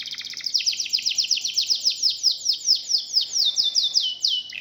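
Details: Local domestic canary song, a quick chattering trill easing into a slower run of downward-slurred whistles that gradually drop in pitch, ending on a lower note.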